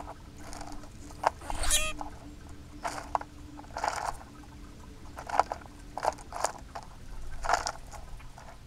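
Common grackles giving harsh, clipped chack notes at irregular intervals, about one or two a second, over a low steady background hum.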